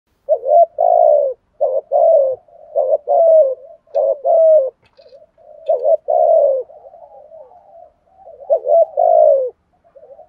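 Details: Spotted dove giving its 'thúc gù' cooing style, a recording used to lure wild doves. Low hoarse coos come in paired phrases: a short rising note, then a longer falling one. Phrases repeat about every one to two seconds against silence.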